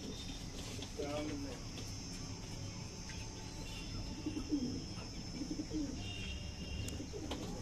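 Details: Domestic Punjabi pigeons offered for sale in Najafgarh, Delhi, give low rolling coos, one near the start and further soft cooing phrases midway, over a constant hum and faint background chatter.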